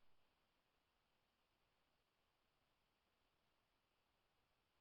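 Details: Near-total silence, broken only by a brief burst of sound at the very end.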